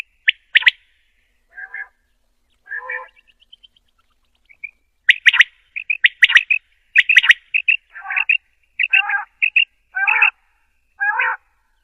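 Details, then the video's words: Female common quail calling, used as a hunting call: short clipped high notes, single and paired, mixed with harsher buzzy chirps, growing denser in the second half. "Quail sound || Batiar Ki Awaz || Female Quail Sound || بٹیر کی اواز || مادی بٹیر کی اواز"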